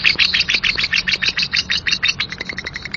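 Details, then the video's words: Rough ngekek chatter from a lovebird, a rapid run of scratchy high chirps with some brighter whistled notes mixed in early, pulsing without pause over a quiet low background hum. "Pasti Lovebird anda gak mau DIAM, dengar KIcau Labet NGEKEK KASAR ini"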